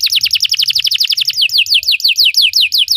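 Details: Belgian canary song for teaching other canaries: rapid downward-sliding notes, about eight per second, shift into a slower series of paired rolling notes.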